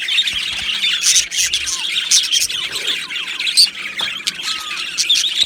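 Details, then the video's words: Aviary budgerigars chirping, with grating squawks prominent over softer high twitter and a couple of clear low-ending whistled slurs, many birds calling at once. "Beautiful Budgies Singing and Chirping Sounds"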